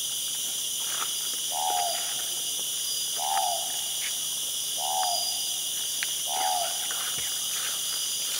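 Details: Andaman hawk-owl (Ninox affinis), call.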